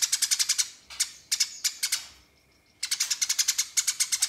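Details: Fighting house sparrow calling rivals with long nyerecet chattering: quick, evenly spaced harsh chirps in two rapid strings, split by a silent gap holding a thin steady tone.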